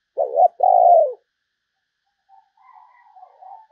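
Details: Spotted dove kept as a decoy to attract other doves gives one clear two-part coo, short then long and falling. A quieter, drawn-out murmuring follows.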